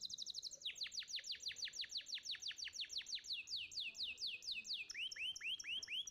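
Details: Contest-winning canary singing a master song for young canaries: a fast series of steeply falling whistled notes, about two per second, shifting to slower rising-and-falling upswept notes near the end.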